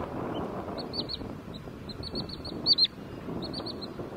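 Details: A Wood sandpiper at the lakes of Quinta do Lago, Loulé, Algarve, Portugal, on 27 April 2022, gives quick, high, slurred 'chiff-if-if' runs of three or four notes over a steady rush of wind or water.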